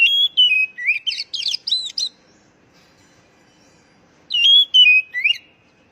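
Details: Oriental magpie-robin song played to stressed young birds that have fallen silent: a clear whistle stepping downward, then fast twittering notes, with a second whistled phrase starting after a two-second pause.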